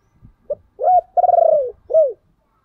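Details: A calling spotted dove gives a strong, low, hoarse coo phrase under two seconds long: a short note, a swelling coo, a rolling purred coo, then a falling final coo.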